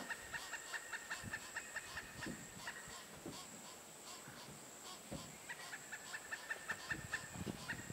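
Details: A female Pileated Woodpecker nestling calls from her nest cavity in Chassahowitzka WMA as the adults try to lure her out. Short, clear notes repeat rapidly in steady runs of several, with a brief pause midway, over a constant high insect drone.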